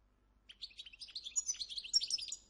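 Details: A Moroccan European goldfinch at a breeding farm sings a fast, liquid, continuous run of high-pitched tinkling twitters and buzzy trills lasting over two seconds.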